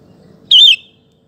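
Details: Sooty-headed bulbul singing to draw other males into song, a single warbled whistle that wavers and then dips, over faint low rumble.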